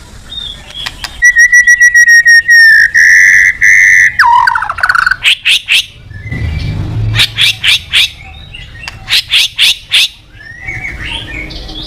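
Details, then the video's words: White-rumped shama in full song as a therapy track to make other birds sing: a long steady whistle, a downward-slurred phrase, then clusters of sharp, quick chipping notes repeated in bursts. "Suara Terapi Burung Murai Batu Gacor Emosi"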